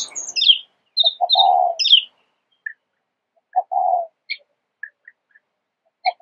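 Oriental magpie-robin singing short, sweet, high whistled phrases and chirps in irregular bursts, with low soft cooing, likely a dove, in between.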